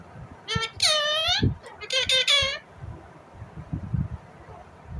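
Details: Indian ringneck parrot giving natural calls: a long, arching harmonic squawk, then a quick cluster of rough rising-and-falling notes, with low thumps and room noise underneath.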